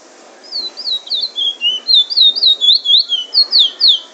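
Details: Bullfinch (chestnut-bellied seed-finch) in Trinidad singing its drawl and wheet drawl song style: a rapid series of clear, high whistled downslurred notes, about four per second, some with short upward flicks, over a quiet background.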